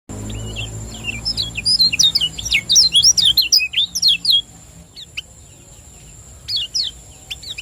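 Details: Lemon-bellied white-eye from Lombok, a champion singer in the 'ciak joss' style, used as a lure to stir lazy kept birds into song: a fast burst of high, sharp, twisting chirps for about three seconds, then scattered short notes over a steady thin electronic whine.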